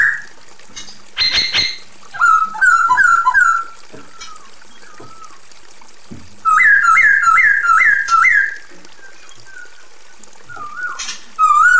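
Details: Calling to the male, a female Chinese hwamei gives quick runs of short, bouncing whistled notes repeated several times a second. Softer slurred whistles sit between the runs, with a few clicks and knocks.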